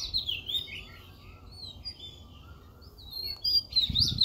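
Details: A plumbeous water redstart, a rare transit migrant, in Hong Kong woodland on 7 November 2022, gives thin, very high squeaky notes and short twitters, about two a second, over a low steady rumble.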